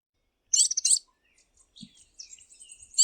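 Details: Tanager giving two quick bursts of high, bright chirping notes, followed by scattered thin, faint high notes and a short whistle at the end.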